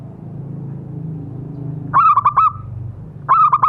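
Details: Lure call of a zebra dove (perkutut) for prompting caged birds: after a quiet low hum, two stuttered cooing phrases of clipped notes ending in a drawn-out tone, about a second and a half apart.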